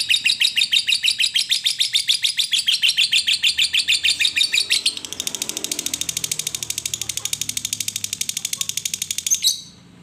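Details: Lovebird sound used to stimulate other lovebirds to sing and chatter: rapid repeated high chirps in a steady pulsing series, about three per second, shifting after five seconds to a faster, denser high trill that ends abruptly.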